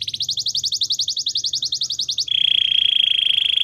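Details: Canary training song with a quick, even run of bright chopped syllables for two seconds, then a sudden switch to a sustained, high, pure rolling trill held to the end.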